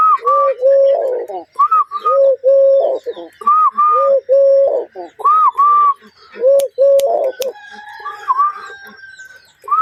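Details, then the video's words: A spotted dove (দইল ঘুঘু) gives soft, hollow coos in short repeated phrases, low notes paired with higher ones, calling in time with finger taps; sharp taps or snaps break in near the end. "দইল ঘুঘুর অসম্ভব সুন্দর ডাক"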